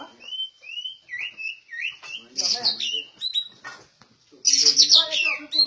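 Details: Trained, caged white-rumped shama described as rare. A run of short rising whistles repeats about three times a second, then come chattering, voice-like sounds and a burst of high, buzzy, scratchy notes.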